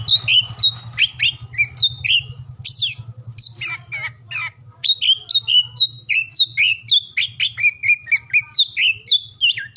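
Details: Oriental magpie-robin singing, played to make silent or lazy birds sing; rich whistled phrases with upward and downward slurs, a short pause midway, then rapid varied notes, low hum present.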